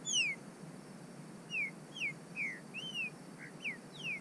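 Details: Captive-bred green-winged saltator warming up in the bush, singing clear whistled notes that each slide downward, spaced irregularly, sometimes paired, with faint higher overtones and a soft background hiss.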